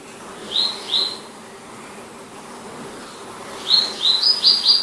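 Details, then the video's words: Palestine sunbird (Cinnyris osea) giving high, thin chirps: two quick notes, a pause, then a fast run of five rising twitters over a soft hiss. "Glimpse of the Palestine Sunbird | Beautiful Chirps & Songs"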